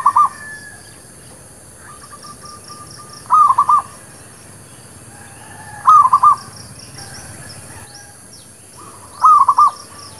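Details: Local zebra dove lure song for trapping and new birds: compact rolling phrases of quick, soft coos repeated about every three seconds, with faint high bird chirps and a thin whistle-like tone in the background.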